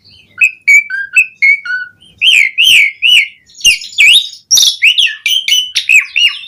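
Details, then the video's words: Asian pied starling in varied song: several short level whistles, then looping slurred whistles and harsh buzzy chirps in quick succession, loud and clear. "Suara Jalak Suren Gacor Auto Bongkar Isian Variasi"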